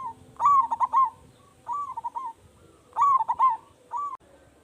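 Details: Zebra dove of local stock, loud-voiced and calling freely, used to draw replies from other doves; three bubbly stuttering coo phrases, each a burst of rapid beats, roughly a second and a half apart.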